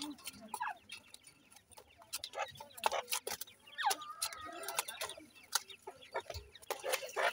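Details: Young grey francolins (dakhni teetar) bred in captivity utter thin rising chirps and soft clucks among many sharp tapping clicks, with the sounds coming in scattered bursts.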